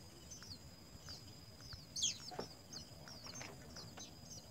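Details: Nestling house sparrows, three in one nest, fed by both parents, call with repeated high, squeaky cheeps; one sharper, louder call stands out partway through amid the thin chirping.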